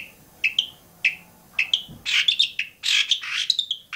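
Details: Long-tailed shrike at Bobotsari: short, sharp, whistled notes spaced apart over a steady hiss, then loud, harsh, rasping bursts mixed with squeaky whistles.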